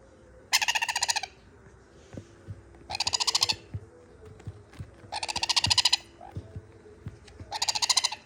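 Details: Sun conure chick asking for more food: harsh, rasping pulsed bursts, each under a second, repeated about every one and a half seconds, with soft clicking sounds in between.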